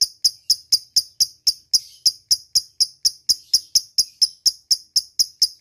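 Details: Lovebird giving ngetik ticking calls, used as a lure to call a rival: sharp, dry, high clicks repeated evenly about four times a second, with no other sounds.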